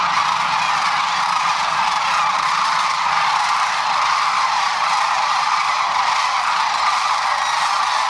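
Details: A huge flock of sandhill cranes settling for the night on the Platte River near Gibbon, Nebraska, in spring, calling together, rolling, rattling bugles merged into a steady, unbroken roar; later a hawk panics them into flight.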